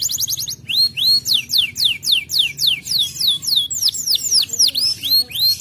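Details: Canary masteran song used to make other canaries respond: a short fast trill, then a series of clear arched and downslurred whistles, varied in shape and repeated at roughly three per second.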